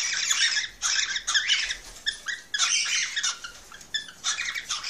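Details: Cockatiel breeding-stimulation song: loud, raspy, scratchy phrases in several bursts with brief gaps, over a steady low background hiss.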